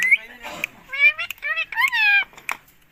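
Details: Green Indian ringneck parakeet speaking to its owner: a few clear, high-pitched, voice-like words with strong harmonics, broken by brief clicks and pauses.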